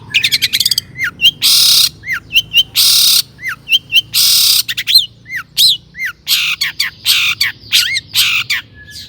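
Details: Long-tailed shrike singing energetically with mimicked phrases, played as a lure to provoke other shrikes: loud harsh rasping blasts alternating with short rising whistled notes and quick chirps, in a dense, irregular sequence.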